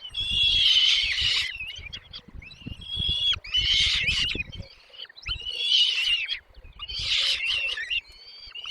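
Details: Chicks in a nest as both parents bring food: harsh, hissing bursts of begging about a second and a half long, four of them in rapid succession, separated by short thin whistled notes, with low rustling underneath.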